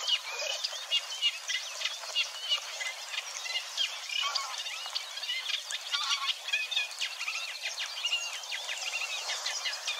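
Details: Eurasian Reed Warbler at Wetering West, Overijssel, in May 2022, chattering along contentedly and mimicking a little: ten seconds of dense, rhythmic, scratchy repeated phrases in a continuous stream.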